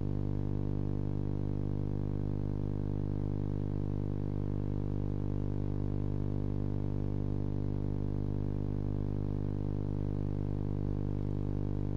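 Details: A steady low mechanical hum with harmonics fills the recording throughout; no animal calls can be picked out.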